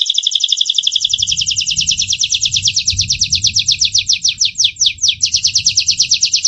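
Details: Domestic Gloster canary, recorded in 2018, delivering a loud, rapid, rattling trill of high chirping notes, about two per second in pulses. The trill runs unbroken for several seconds over a soft low background hum.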